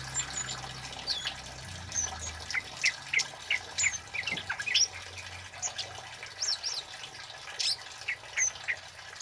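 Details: Male kemade (flowerpecker) calling steadily as lure and tutor material: short, high chip notes repeated roughly every half second over a constant watery hiss, with a few higher squeaks mixed in.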